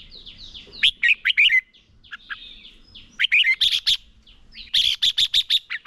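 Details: Red-whiskered bulbul decoy bird singing in competition, used to train and stimulate other bulbuls to sing; loud bursts of slurred whistled notes around two to four seconds apart, ending in a rapid run of six sharp repeated chirps.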